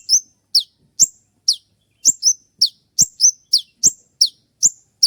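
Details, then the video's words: Konin (crimson sunbird), a spotted bird, giving its sharp "shot" song, played at dawn to train other birds: crisp, very high, downslurred chip notes fired about three times a second in a clean, quiet recording. "Masteran dan Terapi konin trotol dengan suara tembakan yang mudah"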